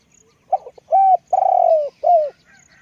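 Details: A spotted dove decoy with a big voice gives one coo: brief soft stutters, an arched hollow note, a long buzzy coo sinking in pitch, then a final falling coo.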